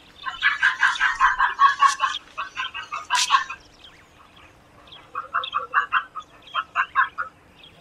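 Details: Egyptian vulture calling: rapid bursts of harsh, hoarse notes, roughly two per second, in a long run, then a pause, then a second shorter run.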